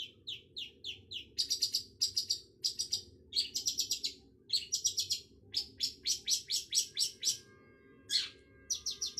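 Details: Long-tailed shrike delivering bursts of quick, harsh chirps in clusters, with short pauses between runs; one lower, drawn-out slurred note near the end, low background rumble throughout.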